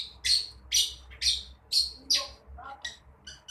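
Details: Young long-tailed shrike practising its song: loud, harsh rasping notes repeated about twice a second, followed by a few softer, thinner scratchy notes, over a faint low background hum.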